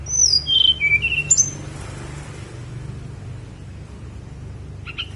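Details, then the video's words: Brief high song of a Snowy-browed flycatcher from Songgo Langit mountain: a quick descending run of thin whistled notes in the first second and a half, then low background hum. "KICAU TLEDEKAN GUNUNG SONGGO LANGIT"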